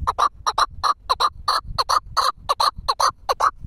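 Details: Four-year-old Pamir chukar partridge kept caged and tethered for hunting, calling with paired clucking chuk notes, harmonic and mid-pitched, roughly two and a half per second in a steady rhythm.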